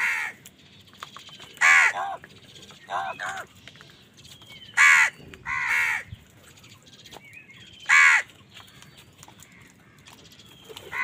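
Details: Angry crows fighting wild birds for food outdoors: harsh, hoarse caws in uneven bursts, some single and some in quick pairs, separated by quieter stretches with faint thin whistled notes from other birds.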